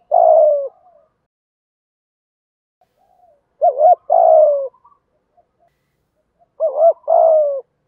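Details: Spotted dove in the 'thổ thúc gù' cooing style, used to stimulate captive doves to coo. Each phrase is a quick two-part note and then a long, low, slightly falling coo, repeated about every three seconds in silence.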